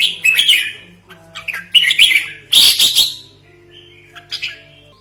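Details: Lure call of a red-whiskered bulbul, a model for training other birds: several quick chattering, bubbly phrases with sharp high accents, separated by brief pauses, over a soft continuous low hum.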